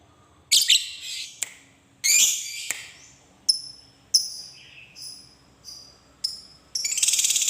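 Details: Lovebird in ngekek style, used as a lure for other lovebirds: scattered harsh, high rasping bursts and short chirps with uneven pauses, ending in a quick buzzy rattle.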